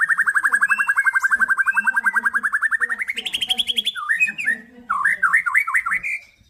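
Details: Crossbred F-series male white-rumped shama delivering a long rapid rattle of even pulses for three seconds, rising in pitch, then a sequence of looping whistled phrases.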